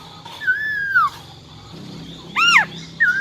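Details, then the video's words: A female silver-eared laughingthrush sings in a wild-type voice meant to excite males quickly. A drawn-out whistle falls away at its end, followed by a sharp arched note and a brief final whistle. "Tiếng Chim Khướu || Khưới Mái Bạc Má RO RO || Giọng Rừng Hót Chuẩn - Kích Trống Lên Lửa Cực Nhanh"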